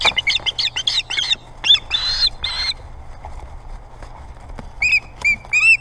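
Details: Osprey altercation at the Boathouse nest on Hog Island, Maine, a site sought by several ospreys: clear whistled chirps in quick bursts, a pause, then short down-slurred piping notes repeated about every half second.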